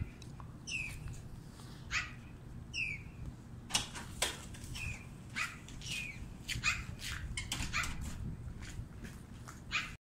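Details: Black-billed Magpie in Canada in winter gives a varied string of harsh, rasping squawks with a few short downslurred whistles, over a steady low background rumble.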